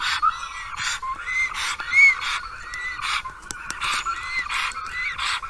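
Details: Black stork at its nest in Karula National Park on 10 April, calling in vain for last year's mate, who did not return. Broad hissing bursts repeat roughly once a second, with thin whistled arcs running between them.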